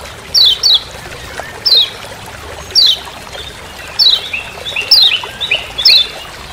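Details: Lemon-bellied white-eye (kecial kuning, Lombok) in forest giving "ciak ciak" calls: a pair of sharp falling chips, then single chips roughly each second, with faint lower whistles near the end over hiss.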